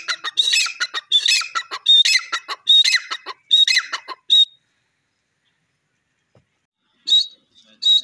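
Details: Grey francolin giving a rapid series of harsh, ringing call phrases, each a clipped whistle followed by grating notes, about five in a row, then silence and a brief final burst.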